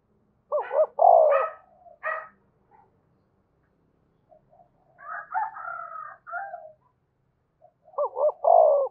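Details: Spotted dove of Đồng Nai in calling and urging mode, used to excite doves: loud wavering double-humped coos, a rougher, rolling phrase in the middle, then the same deep wavering coos again.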